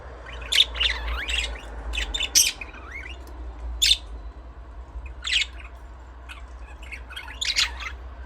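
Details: Chirping budgies, sharp high chirps and short upward-sweeping squeaks scattered irregularly, roughly forty per minute, some louder squawky notes, with a low hum beneath.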